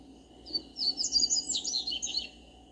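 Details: Double-collared seedeater singing in a backyard, a quick high twittering phrase of jumbled chirps lasting under two seconds, with a steady faint hum underneath.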